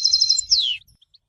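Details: Goldfinch song for song training: a brief run of repeated high buzzy trill notes, then a clear downward-sweeping whistle that fades out.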